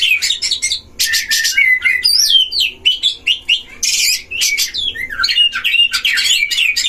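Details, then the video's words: Caged Oriental magpie-robin song played as a lure to provoke other magpie-robins: an energetic, unbroken medley of fluty whistles, rising and falling slurs and scratchy bursts. "DUEL KACER di kandang ternak‼️pancing semua jenis kacer cpt emosi"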